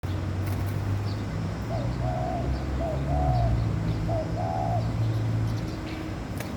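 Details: Laughing dove calling during courtship: soft low cooing phrases, each a short note followed by a longer level one, repeated three times in a row, over a steady low rumble of background noise.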